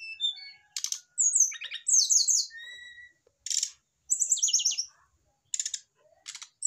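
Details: Established male brown-chested jungle flycatcher reacting to a nearby female, giving rich mixed song of rapid high whistles, stacked buzzy trills, and one sustained mid whistle, delivered in bursts with brief silences.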